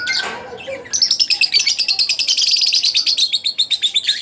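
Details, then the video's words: Singing Split Blue Fischer's lovebird, a pet, giving a fast rattling chatter of rapid high pulses, around six per second, running steadily for three seconds after a brief squeak. "Split Blue Fischer | lovebirds chirping | singing Sound"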